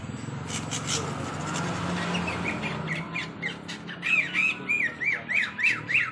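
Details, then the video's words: Greater green leafbird in lively song: after a murmur of low background noise, a fast series of arched, ringing notes repeated about three times per second. "cucak ijo gacor hiper"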